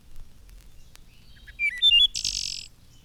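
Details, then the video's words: Wood thrush from a 1954 Cornell recording, singing in measured flute-like phrases: after a pause, a few soft clear whistles lead into a high, hissing, buzzy trill. Quiet background otherwise. "It is a wood thrush, and it sings in measured phrases,"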